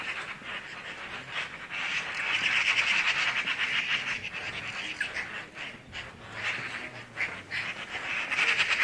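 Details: Flock of birds in Skardu, Baltistan, giving continuous rapid chatter, fast buzzy pulses that swell and fade in waves, with brief dips near the middle and a louder stretch at the end.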